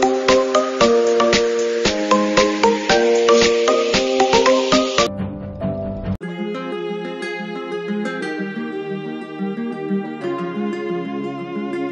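Only tuned mallet-percussion music plays, a bright xylophone-like melody with no animal sounds.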